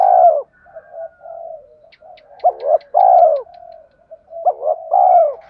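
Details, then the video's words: Spotted dove cooing, a recording meant to provoke wild doves into cooing. Soft low coos, each phrase a short hooked double note followed by a longer, rolling, falling coo, repeated about every two seconds with faint quieter coos between. "Tiếng chim cu gáy thúc cực đỉnh dùng kích bổi mở lên là gáy 100%"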